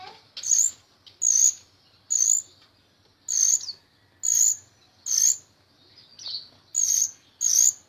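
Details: Jalak rio-rio myna song meant for training other songbirds: loud, harsh high chip notes repeated at uneven intervals of roughly a second, nine in all, with one lower slurred note between them.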